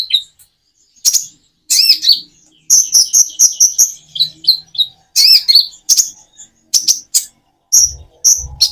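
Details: Common iora singing with natural pauses as a prompt for other birds; bright, high chirped phrases with rising and falling whistles, broken by short silences, and faint low thumps near the end.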